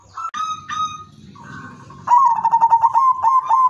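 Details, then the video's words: Zebra dove (perkutut) of the udanmas silver strain, kept bird singing a melodious lure song meant to set other doves singing; a soft cooing start, then a rapid run of pulsed notes around one steady pitch. "perkutut udanmas silver irama merdu spesialis pancingan bikin semua perkutut ikut manggung"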